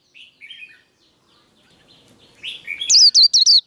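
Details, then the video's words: White-eye fighting song in the líu style: soft, lower chirps and twitters build up for over two seconds, then four loud, shrill, slurred notes burst out at the end. "Vành khuyên líu đấu. Kích lửa vành khuyên líu đấu"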